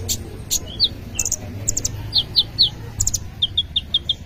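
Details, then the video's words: Full isian song of a brown-throated sunbird, mixing high ticks with slurred chirps, then a quick series of repeated short notes near the end, all over a soft low rumble. "Kolibri ninja full isian"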